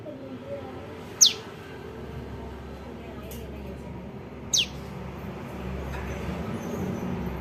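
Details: Prinia juvenile calls played as a trapping lure: two quick, high, falling notes a few seconds apart against a low, steady background noise.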